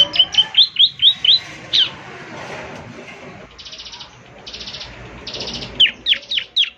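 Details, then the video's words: Bar-winged prinia (ciblek semi) singing actively, meant to be played each morning so other ciblek answer: sharp downslurred chirps in quick runs, then buzzy rattling trills, then more chirps. "ciblek semi gacor, putar tiap PAGI agar ciblek semi ikut nyaut bunyi GACOR"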